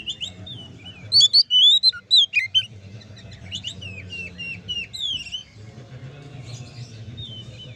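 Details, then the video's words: Oriental magpie-robin singing to provoke rival magpie-robins: a bright burst of loud, sharp whistles and chirps early on, fading into softer, scratchy warbling over a steady low hum. "suara kacer ngeplong untuk memancing kacer laen emosi dan gacor"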